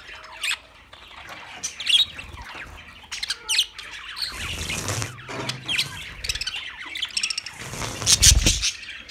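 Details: Several budgerigars calling together with squawks, short rising and falling chirps, and scratchy warbles in bursts. A low rumble sounds around five seconds and a loud burst comes near the end.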